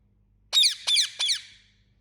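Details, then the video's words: Rose-ringed parakeet, a pet Indian ringneck, giving three loud harsh screeching squawks in quick succession, each sharply falling, with a quiet low hum behind. "Talking Parrot Making Sound"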